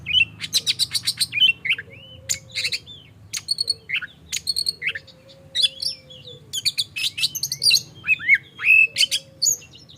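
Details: Morning song of an oriental magpie-robin played as a lure to get other magpie-robins singing: fast, lively bursts of high chattering notes, clear whistles and buzzy trills, with short pauses between phrases and a quiet hum underneath.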